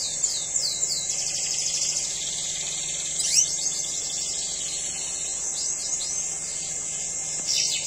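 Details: Red siskin in breeding condition singing: high thin twittering notes and quick downslurred chips scattered over a steady high hiss, with a brief louder burst mid-way.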